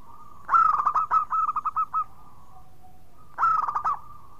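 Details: Local zebra dove in full voice, a clear, loud song played to prompt silent birds to sing: a rapid stuttering phrase of cooing notes that slows into separate coos, a brief pause, then another quick burst.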